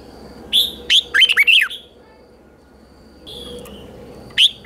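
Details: Morning training song of a red-whiskered bulbul, chè style, meant to spur other birds: a clear whistled note, then a bright jumble of fast looping notes, a second drawn-out whistle, and a sharp note at the end.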